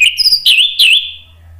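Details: Orange-headed thrush, kept as a singing bird, in a loud 'ngeplong' style phrase used as a lure to prompt silent birds to sing: clear, ringing whistled notes with wavering pitch in three quick bursts.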